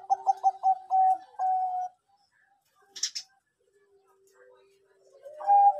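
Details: Bangkok-type zebra dove song, played as a lure to get birds singing regularly: a rapid stutter of short coos that lengthen into two sustained level notes, a brief sharp noise, then a faint low hum and another coo.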